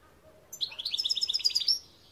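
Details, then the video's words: European goldfinch delivering a short, fast trill of rapidly repeated high tinkling notes lasting just over a second, steady in pitch and ending in a slight upward flourish. "Chant Chardonneret"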